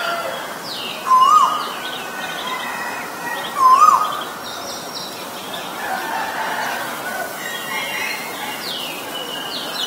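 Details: Asian koel, male and female named, calling twice early on: short rising whistles roughly two and a half seconds apart. Several seconds of scattered distant chirps and background hiss follow.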